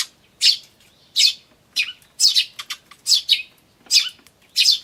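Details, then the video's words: Tree sparrow chicks chirping 'chi chi' with adults calling, May 2013: loud high chirps repeated roughly every half to one second, some in quick doubled pairs. "スズメと雛の鳴き声(5) Sound of Tree Sparrows and chicks (5)"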